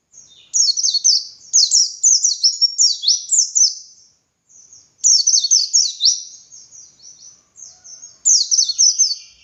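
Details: Energetic pleci dakun white-eye song in ngalas style for tutoring other birds: long fast runs of high, thin, downslurred notes, about two per second, broken by short pauses.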